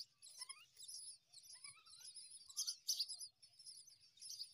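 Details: Myna feeding newborn chicks in the morning; high, thin chirps crowd together with quick descending whistled notes in between, an irregular busy twittering throughout.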